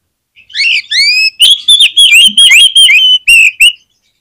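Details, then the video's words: Oriental magpie-robin, sung to set other magpie-robins singing; a loud continuous string of rich whistled notes, sliding up and down, about three per second, with no other sounds. "SUARA KACER GACOR INI SANGAT AMPUH BIKIN KACER LAIN CEPAT NGEPLAY"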